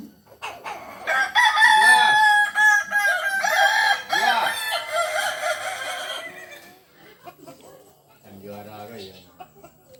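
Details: Long crow of a Kukuak Balenggek cock from Solok: about five seconds of loud, rapidly pulsed, stacked syllables with low arched clucks beneath, then quiet, and softer clucking near the end.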